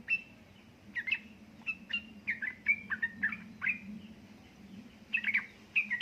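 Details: Female yellow-vented bulbul calling a male, in ropel ngeriwik style, used to stimulate lazy birds to sing: scattered short bubbly whistled notes, then a quick cluster near the end, over a steady low hum and background noise.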